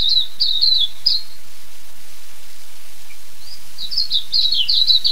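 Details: Silvereye or waxeye recorded in New Zealand: a high twittering warble for about a second, a quiet gap, then the rapid slurred notes resume and run to the end.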